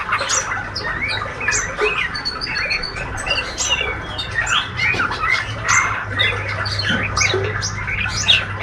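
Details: A juvenile male white-rumped shama, healthy and active, chatters ngriwik-style with dense quick chirps, looping whistles and squeaky notes throughout, accompanied by a steady low hum.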